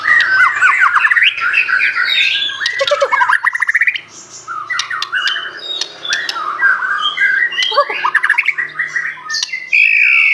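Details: Aceh white-rumped shama singing a richly filled mimicry song: fast runs of rattling, squawky notes alternate with rising whistled slurs, a brief pause near the fourth second, then more chattering bursts and a final clear whistle.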